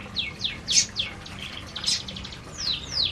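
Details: Canaries feeding together in an aviary: a string of high, quick downslurred chirps, roughly one per second, some overlapping, over a soft low hum.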